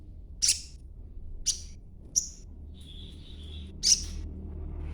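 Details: Young green crimson sunbird calling as a lure to make other birds answer; four sharp high chips about a second apart and a thin steady whistle between them.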